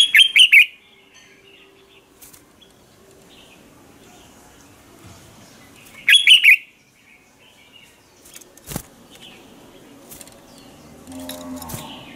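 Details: Morning song of a red-whiskered bulbul used as decoy song for training: two brief, loud chirping phrases about six seconds apart, with a sharp click and faint low sounds between them.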